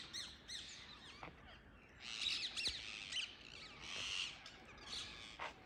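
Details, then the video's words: Free-flying wild Indian ringneck parakeets in a tree at early morning, giving scratchy, screeching calls in overlapping bursts, loudest from two to four seconds, with a few sharp chirps from other birds. "Wild Indian Ringneck parrots early morning on a tree"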